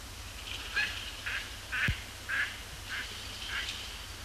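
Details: Canada geese circle and land on Sapsucker Woods Pond, Cornell Lab of Ornithology, after sunset on an overcast Thursday evening, 12 October 2017; nasal honks repeat roughly twice a second, uneven in spacing, with a brief low thud midway.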